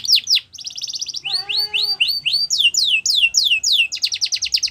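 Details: Yorkshire canary song for training birds to sing: quick high trills alternate with a lower pure whistled note and rows of rising-then-falling whistles, closing with another fast high trill.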